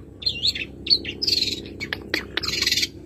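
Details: Caged Madura long-tailed shrike singing learned mimicry: wavering whistled phrases, then sharp clicks and a buzzy rasping burst, with faint low hum behind.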